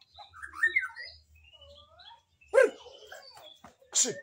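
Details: Magpie-robin (murai) giving a couple of seconds of bright, bending whistled notes, then broken off by loud harsh bursts of noise and a few scattered chirps.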